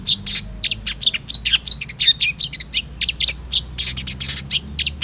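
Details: Long-tailed shrike singing actively: dense, fast, varied chatter of harsh and squeaky high notes tumbling together almost without pause.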